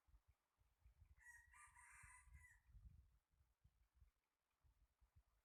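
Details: Somewhat quiet crowing from a rooster, one harsh rasping phrase about a second and a half long, heard over steady low rumbling background noise.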